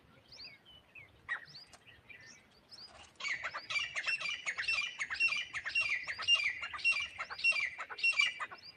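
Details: Grey francolin (teetar) call used as a hunter's lure: after scattered chirps from small birds, a loud run of harsh, high, rapidly repeated notes starts midway and keeps going to the end.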